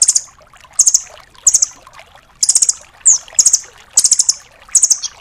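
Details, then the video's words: Velvet-fronted nuthatch tutor song: repeated high rattling trills and one short downslurred whistle, bursts following each other every half to one second. "MASTERAN BURUNG RAMBATAN DORAEMON FULL TEMBAKAN"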